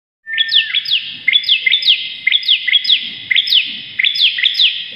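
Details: Bar-winged prinia, locally ciblek, in lively masteran song: repeated rapid phrases of a flat buzzy note followed by sharp rising-then-falling upslurred chips, about one phrase per second, loud and close, faint low rustling below.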